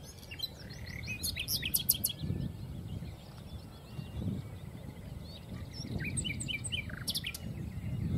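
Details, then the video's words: A common nightingale (Luscinia megarhynchos) singing in Castricum, the Netherlands, gives varied, high phrases of sharp whistles, chirps and rapid clicking bursts over a steady low rumble of background noise. "Singing Nightingale"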